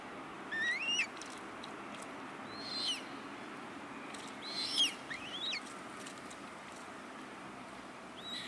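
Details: Young common moorhens at a pond in Leipzig's Rosental, August 2024, give sharp, high, upward-sweeping squeaky notes in a loose, irregular series of about five calls against a constant low rushing noise.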